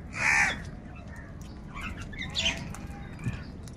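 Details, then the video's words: Crows squabbling over food: one loud rasping caw opens, followed by fainter, scattered calls from other birds over a steady low rumble. "Kaka sound and noises of Crow birds | কাকের ডাক Crow Sound Crow ki Awaz Loudly"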